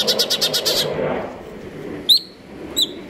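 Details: A captive Greater green leafbird (cucak ijo) in stable condition sings continuously: a quick run of buzzy, high repeated notes, then two sharp, loud whistled notes under a second apart, with faint background hum.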